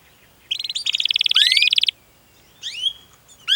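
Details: Canary in long, vigorous song with cuit-cuit chirps and rolling trills, used as a master recording to stimulate young, learning or silent canaries; a fast buzzy trill for over a second, then a few upswept whistled notes after a pause.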